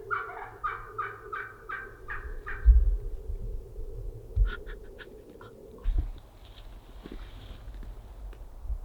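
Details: A strutting Merriam's wild turkey hen in Utah gives a rapid, rattling gobble of about nine falling notes over nearly three seconds, followed by a few clicks over steady low wind rumble.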